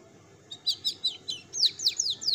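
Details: Female domestic canary delivering a broken roll (ngerol): a short series of sharp high chirped notes about five per second, then a quick run of downslurred whistles, over quiet low hum.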